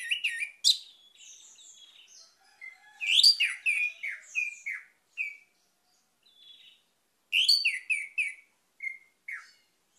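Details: Orange-headed thrush song played as a lure for a silent bird: three bursts of bright, slurred, harmonic-rich notes, each a quick run of falling and rising chirps, separated by quieter soft twitters.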